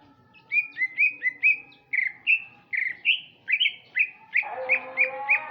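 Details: Afternoon song of a male greater green leafbird from Sumatra: a fast, continuous series of loud whistled notes, mostly rising slurs, repeated several times a second, ending over a fuller, lower-toned warble.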